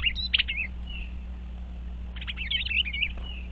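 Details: Eastern bluebirds inspecting a birdhouse, 25 February 2023: a short burst of sharp chirps and a soft warbled note, a pause, then a second cluster of quick twittering chirps, with a constant low background hum.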